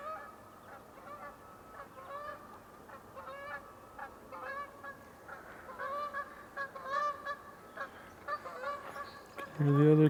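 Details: Canada goose coming in to join a pair that is probably nesting, at ch'atlich Marsh, British Columbia, Canada, on May 1. It gives a steady series of nasal, two-part honks about every half second, ending in a louder, deeper close honk.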